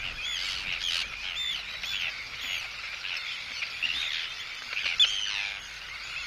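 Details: Arctic terns calling anxiously at an intruder, recorded close, with chick calls noted: a busy mix of short arched cries and chatter, including one sharp louder note around five seconds.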